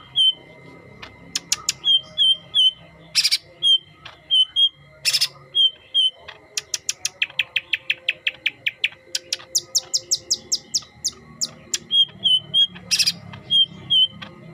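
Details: Green leafbird with a yellow head singing: short whistled high notes in pairs and triplets, sharp loud clicks, and a fast run of repeated ticking, buzzy notes midway, over a steady faint high hum.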